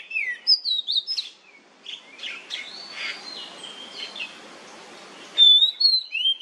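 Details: Nyemplong-style oriental magpie-robin song played as a lure to set other magpie-robins singing. Sweet whistles open, fade into steady hissing noise, then return as clear downslurred notes at the end.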